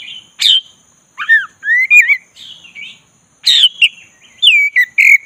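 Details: Oriental magpie-robin of the black-breasted form in relaxed rolling song meant to stir an unenthusiastic bird to sing: loud sharp chips, looping slurred whistles and rising-falling phrases, with brief pauses and a constant faint high tone behind.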